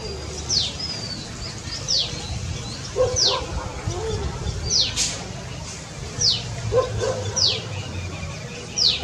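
Asian pied starling giving sharp, high downslurred whistles about once a second, mixed with a few lower throaty notes over a steady background murmur.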